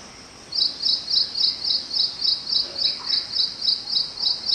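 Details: Near a house at 6:20 am on 25 May 2022, an ashy prinia gives a fast, even series of high, sharp chipping notes, about three or four each second, over faint background hiss.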